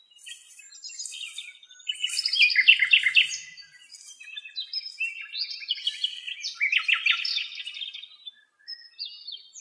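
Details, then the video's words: A Common nightingale in Greece sings a rich, varied stream of fast trills, chattering runs and bright whistled notes, its phrases tumbling on without pause in a quiet setting. "Αηδόνια Κελάηδημα"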